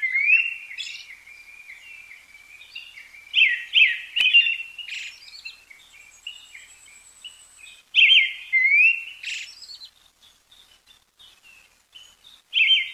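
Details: Brown-headed thrush, a common winter visitor, in Pingtung County, Taiwan, on 20 December 2022, giving thin, high, scratchy call notes in short bursts a few seconds apart, with a faint sustained high whistle in the background.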